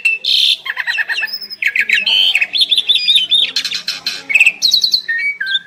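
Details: Asian pied starlings, two birds in duet, trading grating squawks, rattling buzzes and sharp whistled notes in a dense, unbroken medley.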